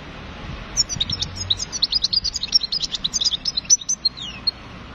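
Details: European goldfinch song, a fast tinkling stream of high chirps and short trills packed closely together, ending with a few thin descending notes over a low background hum.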